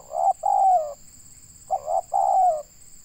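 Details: Two close cooing phrases from a local spotted dove in Indonesia, recorded for luring birds: a quick note and a long rough coo, then a second phrase of two coos, under a steady high tone.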